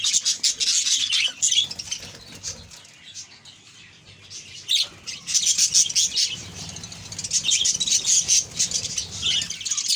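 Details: Budgerigar colony calling in bursts, with high rapid chirps and warbles, a quieter stretch in the middle, then the busy flock chatter returning strongly.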